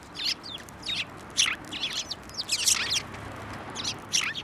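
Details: Sparrows flying onto a hand to be fed at a Tenmangu shrine on 15 March 2024; bright, high chirps in short bursts, several overlapping, scattered across the clip over faint background hiss.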